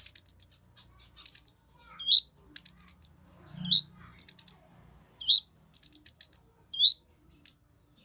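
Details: Kolibri Ninja sunbird in an eager training song: repeated phrases of three or four very high ticks, each followed by a short rising chirp, cycling roughly every 1.3 seconds against a quiet background.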